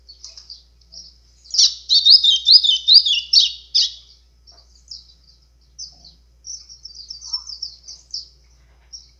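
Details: Singing White-throated seedeater in azulão style, a recording meant to fire up birds: soft scattered chips, then a loud two-second burst of rapid high slurred notes, followed by lighter, quicker twittering phrases.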